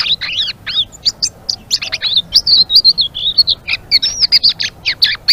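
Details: Blue-winged leafbird in full chattering 'ngeriwik' song: fast run of high, twisting whistles and sharp chirps, some sliding down and up, packed at more than two notes a second with no pause.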